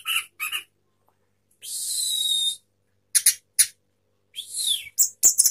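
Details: Sapu jagat song of a caged orange-headed thrush displaying its spread tail: short high chirps, a long shrill whistle, then scattered sharp notes and clicks.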